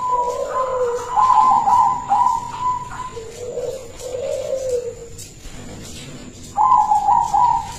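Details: Zebra dove of the local silver colour, a prized kept bird in full song, delivers bubbling trilled coos with lower rolling notes beneath, a pause, then a fresh loud trill; a constant thin high hum runs underneath.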